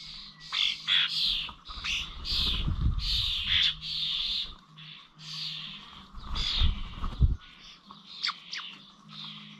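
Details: Starlings gathered at bird feeders in Corby Old Village, 21 November 2023: scratchy, wheezy squawks in irregular clusters, some short clicks, over recurring low rumbling noise around the second and sixth seconds.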